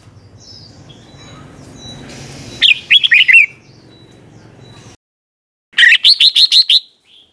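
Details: Red-whiskered bulbul singing the '100 professions' song style, recorded for teaching young caged birds. After a hiss, a quick phrase of warbled whistled notes comes, then silence, then a second phrase of about six rapid, clear notes.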